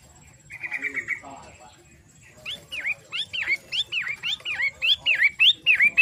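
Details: Long-tailed shrike, known as pentet matahari, opens with a short steady trill, then goes quiet. It then breaks into repeated swooping whistles that climb steeply and fall back, growing louder toward the end.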